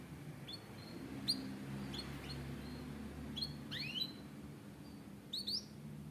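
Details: Canary giving a few separate short chirps, some swooping sharply upward and others downward, with gaps between them, over a low steady hum.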